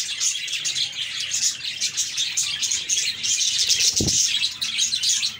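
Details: Cheerful budgies keep up a busy, overlapping chatter of rapid high chirps and thin whistled notes without pause; one dull low bump sounds around the fourth second.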